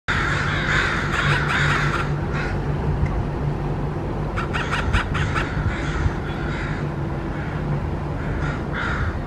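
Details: A crow gives an unusual call: harsh, broken caws in short bursts, some with odd clipped rattling notes, over a steady low rumble of background noise.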